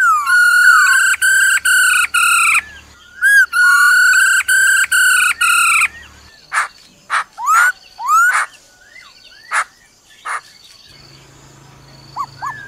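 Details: "Ro ro" calling of a female laughingthrush meant to excite a male: two runs of sustained buzzy harmonic notes, each about half a second, broken by brief gaps, followed by scattered clicks and curved whistled notes.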